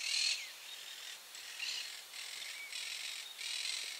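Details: Harsh grating screams from a group of monk parakeets in Barra do Ribeiro, Rio Grande do Sul, recorded with a FujiFilm Finepix SL300: repeated rough bursts roughly every half second, callers overlapping almost continuously.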